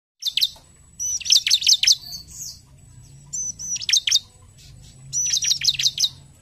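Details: Bar-winged prinia in lively 'gacor narung' singing style, played to prompt other prinias to sing: high sharp whistled notes sweeping steeply down, in fast bursts of four to five, separated by short pauses.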